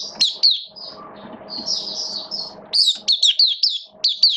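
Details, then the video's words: Oriental white-eye in a cage during wet weather, 8 October 2022: sharp high chirps, a softer warbled passage, then a rapid burst of loud, downward-twisting notes. "Mata Puteh Buka Sing Raja"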